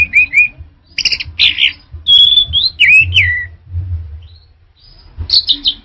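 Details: Orange-headed thrush song: clear whistled notes, buzzy bursts and a long descending slur in quick succession, a pause, then a final rich phrase.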